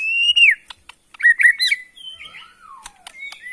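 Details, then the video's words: Singing white-rumped shama of Borneo, Kalimantan forest origin: a strong flat whistle falling at the end, then quick warbled notes and a long sliding descending whistle among soft clicks. "Bikin Murai lain EMOSI!! ~ AKSI murai batu BORNEO ori Hutan KALIMANTAN"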